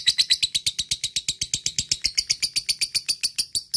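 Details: Lovebird in a fast ngekek, played to get lovebirds excited and singing: a quick run of sharp, high chattering notes at about four per second, steady throughout.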